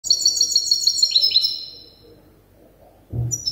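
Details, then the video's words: Young European goldfinch hybrid, still learning its song from an older hybrid, gives a rapid run of high twittering notes that step downward for about a second and a half, then silence and a brief low thump. "تغريد هجين الحسون لازال في مرحلة الحفظ"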